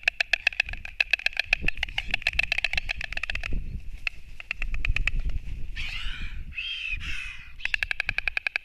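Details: Two white storks fighting at a nest on 29 March 2024, recorded from a live stream: bursts of rapid, dry, wooden bill-clattering broken by harsh rasping hisses, with a low rumble of wind throughout.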